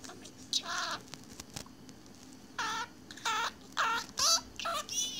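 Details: Pet budgerigar absorbed in its own world chatters with repeated nasal, harmonic-rich notes, about two per second in irregular bursts, some buzzy, some warbled, over a soft steady hum.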